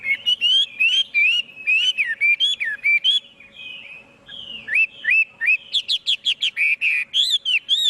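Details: Clean recording of a Chinese hwamei song: looping whistled notes, a drawn-out slurred phrase midway, then a fast rising run of repeated whistles with crisp high accents.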